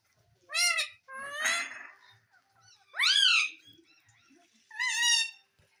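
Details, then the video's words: Pet parrot asking for roti indoors, uttering four loud, rasping, human-like syllables spaced roughly a second apart, one noticeably harsher and breathier than the others. "मम्मी मिट्ठू को रोटी दो _ Parrot Talking Everything _ मिट्ठू की प्यारी बातें"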